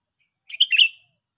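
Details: Sooty-headed bulbul giving a single short, bright chattering call of three quick chirpy notes, high and slightly rough, with silence before and after.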